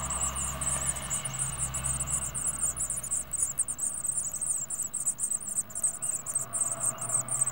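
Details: Blue tit chicks in a nest box, watched by birdcam in spring 2011 in the UK, beg with a dense, high, hissing chorus of rapid short calls, about four a second, over a low hum.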